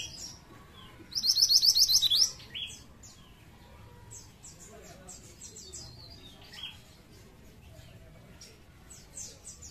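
A pied triller gives one bright, rapid trill of about nine high notes lasting a second, followed by faint scattered chirps.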